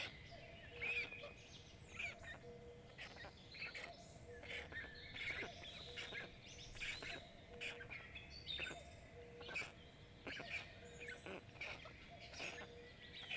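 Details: Black stork chicks, five young in a nest in Jõgeva County, Estonia, begging while an adult feeds them in late May, captured by a live nest camera: evenly repeated short tonal notes amid busy high chirps and twitters from surrounding birds.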